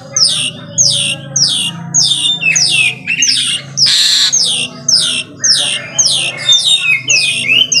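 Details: Energetic morning song of an Asian pied starling: a long series of sharp, high whistles, each sliding steeply downward, roughly two per second, broken midway by one loud rasping burst; a steady low hum underneath.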